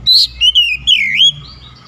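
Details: Single oriental magpie-robin phrase in morning sunlight: a high whistled note followed by two long, wavering, downslurred whistles, loud and clear over a faint low hum.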